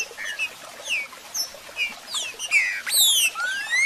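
A Green-winged Saltator sings quick, clear whistled phrases with falling and rising slurs, high and bright, packed tightly over a few seconds with overlapping chirps.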